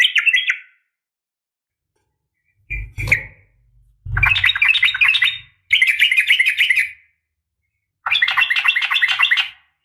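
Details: Sooty-headed bulbul female calling a male, a fighting call used to get bulbuls to respond; several bursts of dense, rapid twittering with low thumps and handling noise between them.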